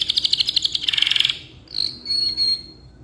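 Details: Canary singing a long song intended for tutoring: a fast, dry pulsed trill lasting over a second, followed after a short pause by a thin sustained high whistle.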